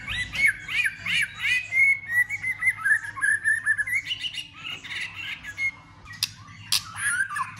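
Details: White-rumped shama in fighting song while flicking its tail, to stimulate other birds: looping whistled notes running into a long rolling warble, then higher phrases and occasional clicks.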